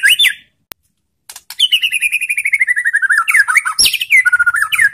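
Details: White-rumped shama singing to provoke rival shamas to reply: after a short silence, a long rapid run of whistled notes slowly falling in pitch, then varied chattering phrases with high overtones.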